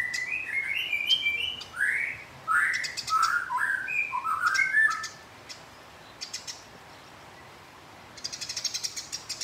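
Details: House sparrow fighting, giving a rapid run of harsh, chirpy chattering notes in bursts over about five seconds, then a few scattered clicks and a buzzy rattle near the end; used to provoke rivals.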